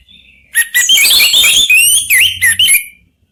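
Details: Orange-headed thrushes, three birds answering each other: a dense two-second burst of loud whistled and twittering notes, with sliding upward whistles and quick high trills, ending abruptly in silence.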